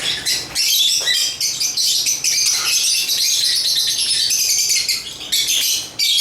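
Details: African lovebirds (Agapornis) chirping together: a dense, continuous wash of shrill, high-pitched chirps and squeaky twitters from several birds, with brief dips between bursts.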